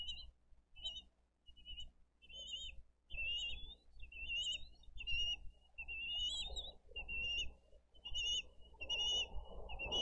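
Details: Bald eagles at a nest in Dade County on 22 April 2023, live nest camera, as the adults bring in fish and feed two eaglets; thin high whistled notes with overtones, repeated about once a second, over low rumbling background noise.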